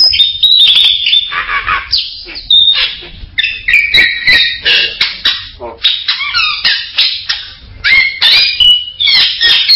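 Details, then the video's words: Bali myna calling in a busy stream of whistles, squeaks and harsh chatter, short varied notes following each other quickly throughout with brief pauses. "SUARA BURUNG JALAK BALI"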